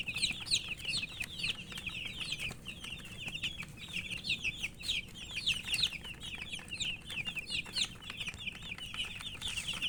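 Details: Chicks calling out with thirst for drinking water, a crowded flock producing rapid shrill descending chirps nonstop, some peeps rising higher above the rest.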